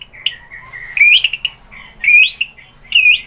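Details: White-rumped shama as a singing lure: short slurred whistles and chirps in three brief bursts, each opening with a sharp rising note, over a quiet background.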